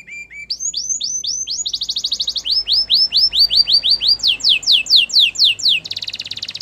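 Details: Training song of a Belgian canary: short low notes open into repeated rising whistled phrases, shifting through several tours of quick sweeping syllables, ending in a dense rapid trill.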